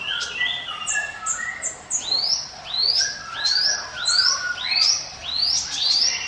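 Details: Ciblek gunung, or mountain prinia, in song for luring other birds: short descending whistles, then a series of rising upslurred notes repeated about every half second with high flicks on top.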